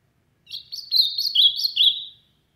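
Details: Ultramarine grosbeak singing loudly: a quick warbled phrase of bright, slurred whistles that dip and rise, lasting under two seconds in a quiet setting.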